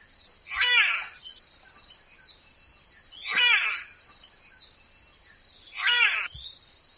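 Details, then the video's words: Harsh, grating raven calls repeated three times at intervals of about two and a half seconds. The bird is from Australia, Oceania and Southeast Asia, and a loud continuous insect whine fills the background. "Ворон. Австралия. Океания. Ю-В Азия. Голоса птиц"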